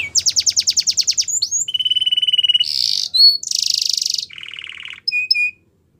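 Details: Yellow Belgian canary singing, said to be in the wild: a fast run of high repeated notes, then a steady mid-pitched trill, harsh buzzy bursts, a lower rolling trill and a few short clear whistles before silence.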